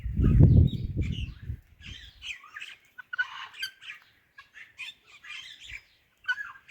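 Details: Ringneck parrot chatters in speech-like fragments while greeting an Alexandrine parrot; a loud low thumping rumble opens the recording, then irregular short syllables continue.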